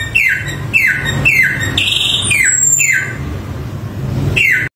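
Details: Lively Samyong song of bold downslurred whistles, about one every half second, broken by a single higher upward-sweeping note; steady low background rumble throughout.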